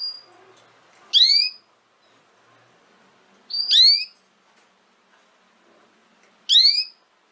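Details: Canary audio for training young canaries to sing: three loud, clear chirps that sweep upward, spaced about two and a half seconds apart, with near silence between.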